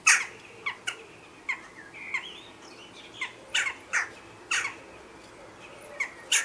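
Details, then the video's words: Jackdaws in a conflict at a chimney nest holding a pair's chicks, possibly neighbours peeking or an unsuccessful pair harassing, give a quick series of sharp, metallic 'tchak' calls, about a dozen in six seconds, over steady low hiss. "Jackdaw's conflict on the chimney ニシコクマルガラスのもめ事"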